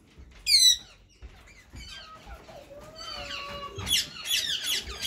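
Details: Male white and green ringneck parakeets in talking mode: a sharp squawk, then warbling, whistled mimicry with gliding tones, ending in a burst of harsh, chattering screeches indoors.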